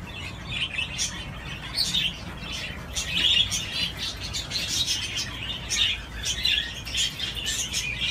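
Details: Budgerigar playing on a swing, chattering in quick high chirps and twittering squeaks, a lively uneven stream of scratchy notes.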